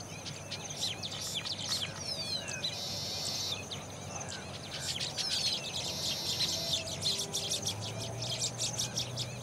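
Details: Baya weaver chicks calling from the nest in a new colony while a parent brings worms to feed them; dense, rapid high chirps and buzzy scratchy bursts run throughout, with a faint low steady hum beneath.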